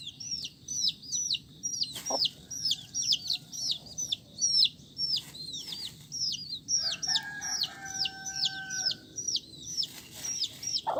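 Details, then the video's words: Colourful chicken chicks peeping constantly: high, thin, downward-sliding cheeps, repeated several times a second and overlapping from many birds, with a brief low hum partway through and a single knock. "Suara Anak Ayam"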